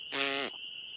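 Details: A male American Woodcock displaying from the ground at dusk in a soggy New Hampshire meadow on 3 May 2020 gives one harsh, nasal, buzzy peent, about half a second long, to attract females; a thin steady high tone follows.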